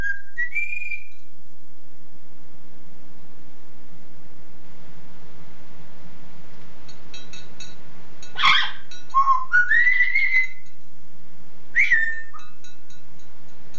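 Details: Household Yellow-naped Amazon parrot, male, copying a woman's singing on an old cassette recording: two brief tonal notes, a long quiet stretch, then harsh bursts mixed with wavering sung tones, over steady tape hiss.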